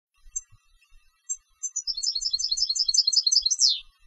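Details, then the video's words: European goldfinch, a competition bird, singing: a few sparse high notes, then a fast run of bright, tinkling twittered phrases repeated about two to three times a second, ending in a sharp descending buzzy slur. "Jilgueros de Concurso - Canto del Jilguero"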